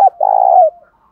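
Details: One drawn-out, buzzy coo from a spotted dove, used to provoke fighting, holding a steady mid pitch and tailing off downward after a brief click at the start.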